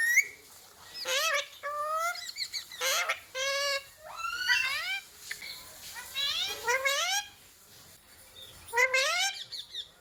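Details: Ringneck parakeet repeating learned words such as "mummy" and "papa": bright, nasal, speech-like syllables in separate bursts, some with upswept and bending tones, spaced by brief silences.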